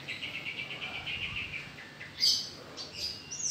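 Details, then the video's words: A pet Horsfield's bush lark (Mirafra javanica) sings: a quick run of about a dozen even, mid-pitched chirps, then brighter, higher twittering notes and sharp chips. ""BRANJANGAN" BURUNG SAWAH BERSUARA EMAS"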